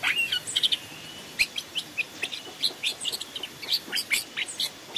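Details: Long-tailed shrike in forest, on a training recording, delivering a dense, busy run of sharp chirps, clicks and short whistles, uneven and almost continuous throughout.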